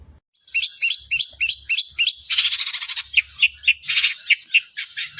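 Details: Long-tailed shrike in contest form sings a song filled with imitated calls and loud shooting bursts to provoke other shrikes. A fast repeated whistled phrase comes first, then a harsh buzzing rattle and a series of loud sharp chips.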